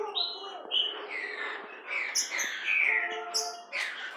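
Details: Captive green-winged saltator at a breeding facility during a pairing of a male with a female, 12 October 2019; loud clear whistled phrases, some falling and some slurred, with overlapping higher chirps from other birds.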